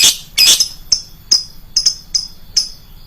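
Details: Shrill lovebird lure sound: two loud, grating screeches open, followed by spaced, clipped high chirps about every half second.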